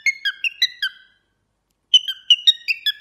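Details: Cockatiel giving quick bright chirping whistles in two bursts of about five notes each, separated by a second of silence.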